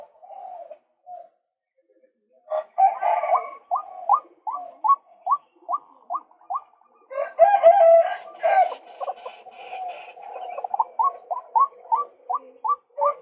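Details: Male white-breasted waterhen, a recording used to lure birds: long series of quick rising notes repeated several times a second, with a denser harsh rough-sounding burst in the middle before the clipped notes resume.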